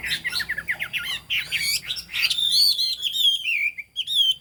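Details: Chinese hwamei song opening with quick, jumbled warbling notes, then a long, sustained, clear whistle that wavers and slowly falls in pitch.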